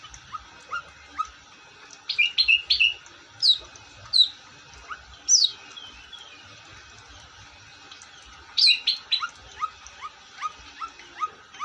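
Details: Long-tailed shrike song: clusters of high, sharp chirps and squeaks in short bursts, with soft, lower warbled notes repeated between them and pauses of a second or more.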